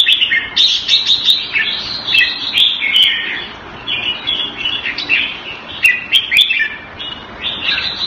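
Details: Red-whiskered bulbul kept caged in Singapore the Thai way, singing a continuous string of lively, bouncy whistled phrases with quick up-and-down inflections and a few faint ticks.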